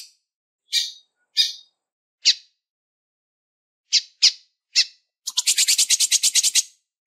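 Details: Calling female lined seedeater trying to excite males. Isolated sharp high chips come at uneven gaps, followed by a quick rattling burst of about a dozen buzzy notes near the end.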